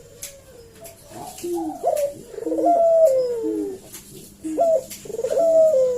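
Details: Collared dove lure call meant to provoke a reply: several drawn-out, descending cooing phrases with sharp upward catches, given in bursts with short pauses, recorded in a small indoor space.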